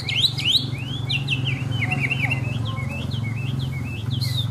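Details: Chinese hwamei, tame and displaying with spread feathers, gives a steady stream of quick upslurred whistled notes over a low, constant hum; rain was falling during the recording.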